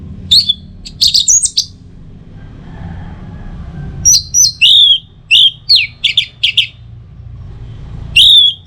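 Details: Orange-headed thrush song from a training and lure recording aimed at teler singing: clipped high whistles in two clusters, the second a rapid series of downslurred notes, with light background hum.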